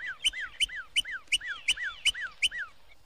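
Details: A Northern Cardinal in Florida, a garden bird, whistles a quick series of clear, downslurred notes, about eight in three seconds, each paired with a sharp bright tick; 1969 record.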